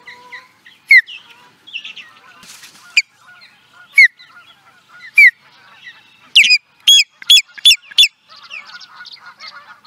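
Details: Osprey in Charlo, Montana, USA, 2017: loud, spaced, down-slurred whistles that build into a quick burst of five shrill chirps, followed by softer chattering notes.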